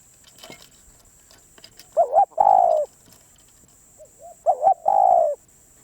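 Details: Spotted dove, a wild bird said to be very persistent, coos twice: a quick two-part note followed by a long sliding coo, with soft low coos between, over a faint steady high-pitched hum.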